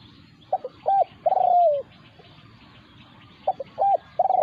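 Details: Spotted dove calling during a confrontation with a wild resident bird that came to a decoy. Two full phrases are heard, each of two brief notes followed by a drawn-out, slightly falling coo, with a pause of about two seconds between them.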